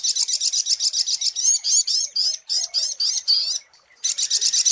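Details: Sunbird known locally as sogok ontong, the brown-throated sunbird, in a lure recording: rapid high chirps about four per second, shifting to looping slurred warbles, a short pause, then fast chirping again.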